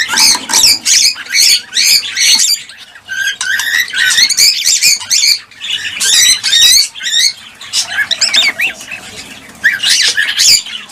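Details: Cockatiels heard as a breeding stimulus: loud clusters of sharp chirps and looping whistles in repeated bursts, separated by short lulls, with many birds overlapping.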